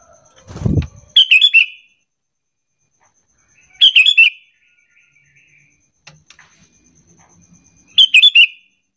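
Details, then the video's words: Sooty-headed bulbul lure call meant to make other bulbuls answer loudly: a low thump, then three short phrases of rapid, ringing, bubbling notes spaced about three to four seconds apart, with quiet gaps. "Pancingan Kutilang biar bunyi gacor sahut sahutan"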